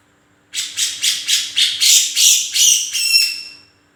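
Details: Grey-cheeked bulbul (cucak jenggot) in active voice: a rapid series of about ten grating, buzzy notes that grow louder, then end in a few tonal, ringing notes before fading, with a faint hum behind.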